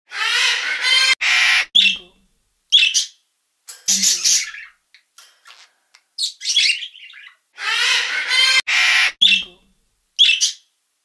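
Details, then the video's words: Parrotlet calling: harsh, buzzy squawks alternating with short high chirps and tweets in bursts, the pattern of loud rasping notes and brief chirps repeating after a pause, indoors with no other sounds. "PARROTLET | VOICE"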